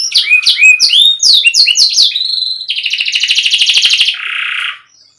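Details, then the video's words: Canary tutor song for young birds: quick sweeping whistled notes, then a rapid pulsing trill, then a lower buzzy roll that ends abruptly. "SUPER JERNIH ‼️ UNTUK MASTERAN KENARI PAUD/MACET.SUARA TIDAK DOMINAN BAGUS UNTUK MENINGKATKAN MENTAL"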